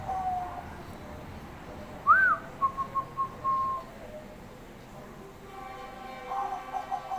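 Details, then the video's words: Bangkok-type zebra dove singing eagerly: a swooping opening note followed by spaced staccato coos and a held tone, then a faint further cooing phrase near the end against background noise. "perkutut Bangkok manggung gacor"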